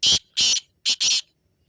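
A black francolin gives four harsh, grating, high notes in two pairs, the second pair quicker, over quiet surroundings.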